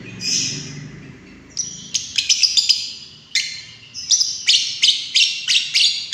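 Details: Biola blue lovebird giving a fast, harsh, high-pitched chatter: buzzy chirps run together in dense bursts, with sharp notes repeating about three times a second in the second half, over a low background hum.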